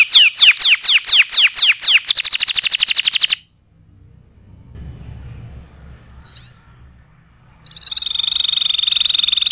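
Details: Canary song used for tutoring other birds: a series of falling whistled notes runs into a fast trill, then a quiet gap with hiss and a brief chirp, and a steady high trill resumes.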